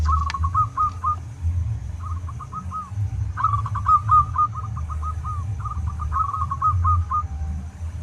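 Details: Zebra dove of a local strain, singing as a master recording for training other doves: several runs of rapid bubbling coos, one long rolling phrase in the middle, with a deep rumble underneath.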